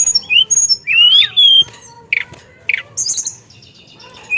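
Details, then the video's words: Teledekan, or Hill Blue Flycatcher, in vigorous rolling song with filled-in phrases: short whistles, a long wavering rising note, rasping squawk-like bursts, then a high buzzy rattle and a faint trailing note. "Burung Teledekan Gacor Dorr Ngeroll Isian"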